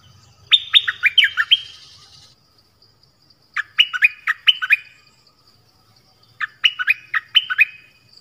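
A songbird repeats a quick phrase of about five bright, fluttering whistled notes, each dropping in pitch. The phrase comes roughly every three seconds against a quiet background.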